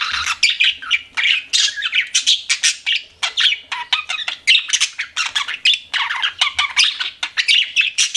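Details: Several pet budgerigars chatter nonstop, short scratchy chirps and squawks coming in quick bursts about every quarter second, high-pitched and busy.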